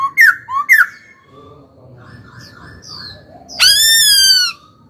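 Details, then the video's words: Caged young laughingthrush during song training: two short, loud whistled notes, a soft murmuring pause, then one long, harsh, drawn-out note lasting about a second. "Khướu hót cực hay, kích bổi hót ngay"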